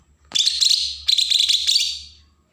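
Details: Bornean green leafbird in Berau, Kalimantan, with an agitated song used as a lure for untrained birds: two quick runs of sharp, rapid high twitters, with a low steady hum underneath.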